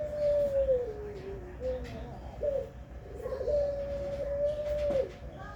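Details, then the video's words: Pelung-type zebra dove cooing: a low sliding coo falling away, a short broken middle part, then a long level coo, with faint voices and hum in the background. "Puter pelung"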